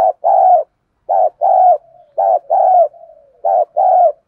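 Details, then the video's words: Spotted dove decoy giving its 'đồng pha thổ' coo to provoke wild males: three regular pairs of low mellow coos, each a brief note followed by a longer drawn-out one, with soft gliding murmurs between pairs. "cu gáy mồi thúc gù căng lửa giọng hạp bổi"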